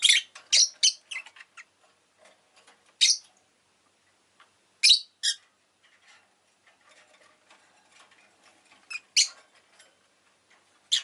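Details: Rosy-faced lovebird giving sharp, high, shrill chirps in quick bursts of two to five, with pauses of a few seconds between bursts. Street noise such as car, motorbike and bicycle sounds may be in the background.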